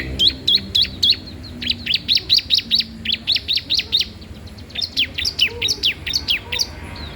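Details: Bar-winged prinia singing continuously, used as a master recording or lure for young prinias: long series of evenly spaced, sharp, downward-flicking chirps, about three a second, broken by one short pause.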